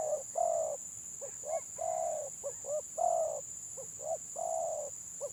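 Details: Village spotted dove singing 'gagap' style: a long coo, then hesitant clipped double notes and another long coo, repeated through the passage over a steady high-pitched whine.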